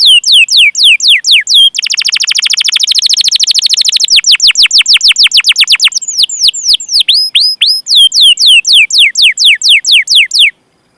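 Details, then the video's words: Canary in vigorous, long-running song with cuit-cuit calls and rolling trills, used as a lure for young, untrained or silent canaries. High, rapid descending whistled sweeps, then a dense fast trill, then more repeated sweeps. "Masteran Suara Burung Kenari Gacor Panjang cuit cuit Ngerol untuk Pancingan Kenari!"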